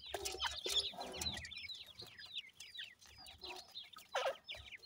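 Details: Grey francolin chicks, Sindhi variety, being fed: a steady stream of quick descending peeps from several chicks at once, overlaid by soft rustling and scattered broadband knocks.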